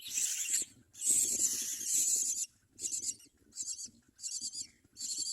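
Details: Harsh, scratchy hissing bursts near a common myna feeding its young: long loud rasps at first, then shorter pulsing bursts roughly every half second.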